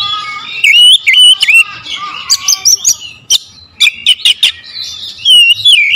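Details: Oriental magpie-robin lure sound, strong and varied: warbled whistles and buzzy phrases, then a volley of sharp staccato chips, ending in bright rising and falling whistled notes.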